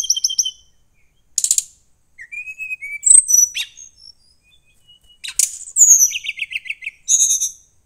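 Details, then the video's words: A captive Brown-chested Jungle Flycatcher, a bird eager for a competitor, sings a varied, high-pitched medley of sharp chirps, clear whistles and quick buzzy trills, delivered in bursts with short pauses. "SRDC ini ingin bertemu lawan"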